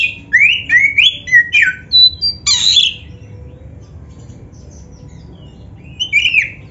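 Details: Oriental magpie-robin, black-breasted form, singing a varied training song: a fast run of bright upslurred whistles and a burst of scratchy notes, then three seconds of near silence before a final short whistled phrase.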